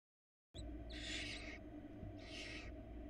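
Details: Barn owl chicks, four nestlings in Florida, beg hungrily as their mother brings a rabbit; after a brief silence, two long raspy hissing screeches about a second apart over a low background hum.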